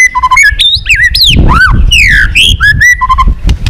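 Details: White-rumped shama in strong fighting song for stimulating other birds and training voice: rich medley of looping whistles, steep slurs, low and high notes alternating quickly, with a background rumble.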